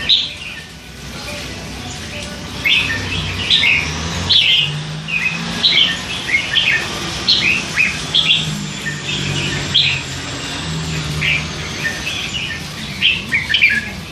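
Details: Hand-fed red-whiskered bulbul, three months old, that chatters all day; a long rambling series of short chirps and twittered notes, quiet at first, then repeated roughly every half second with shifting pitch.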